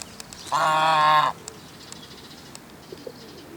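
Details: One Chinese goose at Kamibashira Park, alone this year, gives a single drawn-out, brassy, nasal honk lasting nearly a second, then quiet outdoor background with a few faint distant chirps.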